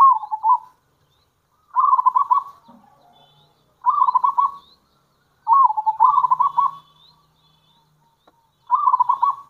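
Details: Zebra dove of local stock, its call used to draw in other zebra doves; five short trilled, stuttering coo phrases spaced roughly two seconds apart, with faint low background noise.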